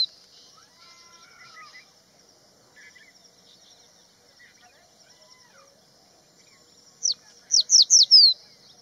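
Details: Crested bunting singing along Haidakhan Road: a quick burst of four or five loud, sharply descending high notes near the end, after faint scattered chirps, over a steady high insect-like whine.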